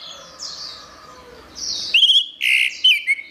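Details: Anis merah, the orange-headed thrush, singing gacor masteran: after soft high buzzy notes and faint low whistles, a loud run of bright whistled syllables and short warbled phrases closes the passage.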